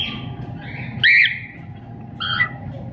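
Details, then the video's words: Cockatiel singing and chirping: two short, bright, harmonic chirps about a second apart, the first rising and the second wavering, over a steady low hum. "Cocktail singing and chiriping"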